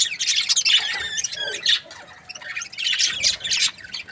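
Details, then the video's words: Budgerigar breeding pairs chattering: dense bursts of scratchy, buzzy chirps and brief whistled notes, a quieter gap mid-way, then more raspy chatter. "Amazing budgie chirping sound | breeding pairs"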